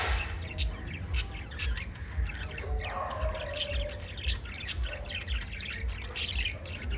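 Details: Group of five lovebirds giving busy, overlapping high chirps and short squeaky notes throughout, with a low rhythmic thump repeating roughly twice a second underneath.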